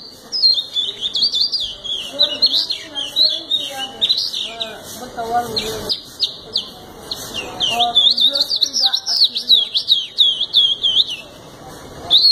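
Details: Canary singing a long, continuous high warbling song of rapid rising and falling trills and twittering phrases, with a brief pause near the middle and a faint lower murmur underneath.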